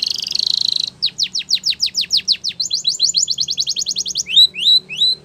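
A Spanish Timbrado canary sings a rapid, high series of phrases: a buzzy trill, falling swept notes, a fast rising trill, then slurred whistles.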